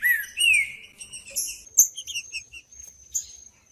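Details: Green-winged saltator song used to warm up cold saltators so they start singing: a clear whistled slur that drops and then rises, followed by a run of short, high chirps and a thin steady whistle.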